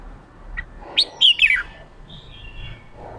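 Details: A newly trapped red-whiskered bulbul, urged to sing ché, gives a short chip, then a burst of three loud, piercing downslurred whistles. A thin, wavering high note trails off after them.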